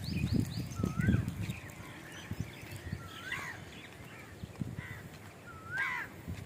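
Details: Bird heard on a morning walk, giving clear slurred whistled calls that dip and then rise, repeated roughly every two to three seconds, with crunching footsteps in the first second and light outdoor background noise.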